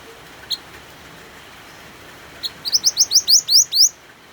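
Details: Over falling rain, a white-eye gives a couple of isolated high chips. Then comes a fast, accelerating series of about seven bright, upward-sweeping notes that grow louder toward the end.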